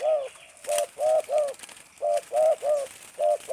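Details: Spotted dove, a tame bird known for a stuttering cooing style, giving low hollow coos in quick clusters of two or three short notes with brief gaps, repeated throughout over faint background hiss.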